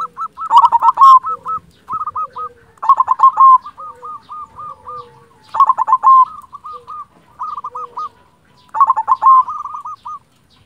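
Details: Prolific silver zebra dove from local stock repeats its song four times: a loud rough stuttered burst trailing into a string of soft hooked coos, every two to three seconds, with faint lower cooing between.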